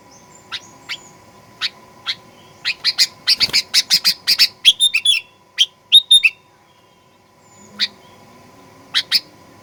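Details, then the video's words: Sooty-headed bulbul in aggressive song meant to provoke a rival. Spaced chirps speed up into a dense burst of harsh notes and slurred whistles, then thin out again to single chirps, over a faint continuous hum. "Kicauan Kutilang Pikat Gacor Fighter"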